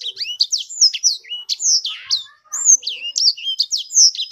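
A small bird pours out a fast, varied song of high whistled sweeps and sharp chirps, rising and falling with barely a pause.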